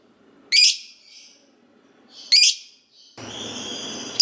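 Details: Gacor lovebird lure sound aimed at getting other lovebirds to reply: two loud, shrill, rising screeches nearly two seconds apart, followed by a steady hissing background with a thin whistled tone.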